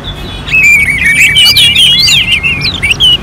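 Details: Orange-headed thrush song in a contest-simulation recording: loud, fast, varied whistled phrases with rising and falling slurs and sharp chips, high-pitched and continuous, over a low steady hum.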